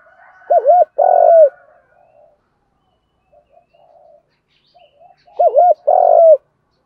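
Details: Spotted doves, male and female, calling to lure wild doves: two phrases several seconds apart, each a quick wavering double note then a long, strong coo falling at its end, with faint higher tones early.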